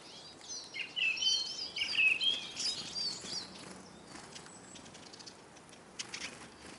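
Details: Hungry Eurasian siskins at a bird table in Kolmården, Sweden, with the camera on the ground below: a quick burst of bright whistled and twittered calls, then pattering and wing flutters as the birds move about.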